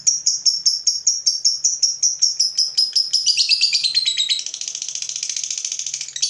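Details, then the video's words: Provoked fighter lovebird in a long trill: regular sharp high notes about three per second, speeding into a dense buzzy chatter that continues for the final two seconds. "Lovebird FIGHTER terpancing Panas, nyaut Ngetik lanjut Ngekek Panjang"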